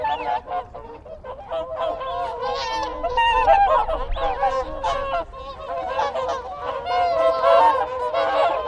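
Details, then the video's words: Whooper swan group giving contact calls nearby, a swelling mass of nasal trumpeting notes that grows louder midway, with Wigeon and Canada geese audible in the background. "Whooper Swan. CU Contact Calls Of A Group."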